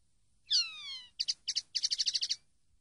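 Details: Common linnet from a training recording of song, a descending whistled slur followed by short buzzy pulses and a quick rattling trill of about ten notes.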